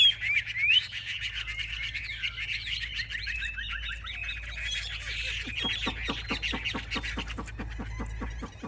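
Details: Chinese hwamei kept in a cage, a hard fighter, performing with wings held high and tail fanned; a dense, fairly soft scratchy chatter with a few whistled slurs early, and quick dry ticks near the end.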